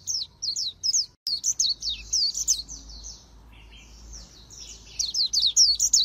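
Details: Oriental white-eye trained for the fast 'líu' contest song with magpie-robin-like phrasing, Vietnam: a rapid run of high, wavering, slurred whistles, a short lull with softer lower notes, then another quick burst.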